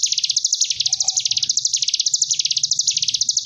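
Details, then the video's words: Sunda bush warbler (ciblek gunung) ngebren gelombang tawon song from a tutor recording for cage birds: a rapid, high, insect-like buzzing trill undulating in slow waves, over a soft low hum and a short faint whistle. "Cigun Ngebren Gelombang Tawon Jeda || Masteran Ciblek Gunung 30 Menit"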